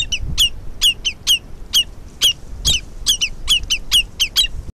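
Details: Common redshanks mobbing a stoat on a wetland in summer 2020 give sharp, high piping alarm notes, about two or three a second in an uneven, insistent stream, over low rumbling background noise.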